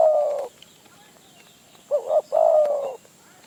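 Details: Spotted dove in the wild in Phrae, Thailand, approaching a decoy: the tail of a long coo, silence, then a quick doubled note and a steady, low drawn-out coo.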